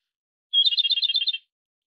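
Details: Japanese robin (Erithacus akahige) singing one rapid, high, rattling trill of about a dozen evenly spaced notes, lasting just under a second, with silence on either side.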